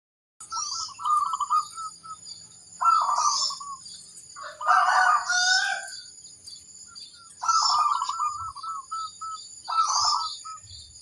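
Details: Crossbred zebra dove in a training recording said to set other birds answering; staccato trilled coo phrases in quick runs, several phrases over eleven seconds, with a hissing higher-pitched noise over each phrase.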